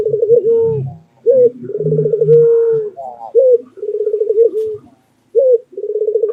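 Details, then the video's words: White dove kept as a pet in Indonesia, calling loudly in repeated low phrases: a sharp opening note, a rattling run of quick pulses, then a sustained even coo, with soft low background sounds. "Pesona Suara Kicau Burung Puter Putih Gacor Dor Yang Menawan"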